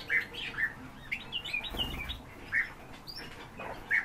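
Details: Pet Eurasian bullfinches recorded from about ten centimetres away give soft, short piping notes, repeated roughly every half second with brief gaps, plus a faint low rustle in the middle.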